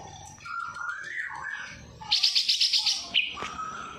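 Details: Greater green leafbird song with kapas tembak imitation: a rising and falling warbled whistle, then a fast series of high, sharp trilled notes, ending in a steady clear whistle.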